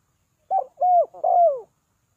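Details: Spotted dove calling to lure birds down, in the three-note style. One low cooing phrase: a short first coo, then two longer, smooth, slightly falling coos, about a second in all. No other sounds.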